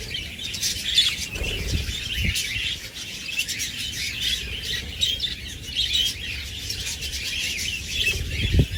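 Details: A group of rescued pet budgerigars chatters steadily in bright, scratchy warbles and chirps.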